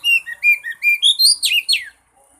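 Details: Oriental magpie-robin song used as a lure to prompt a silent bird to sing: a quick run of loud, clear whistled notes in rising and falling phrases, closing with sharp high downslurred notes.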